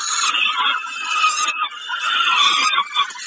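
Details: Peregrine falcon feeding on a snack at Kawęczyn, 20 May 2022: a continuous, strained screeching wail with a brief dip midway, raspy and loud.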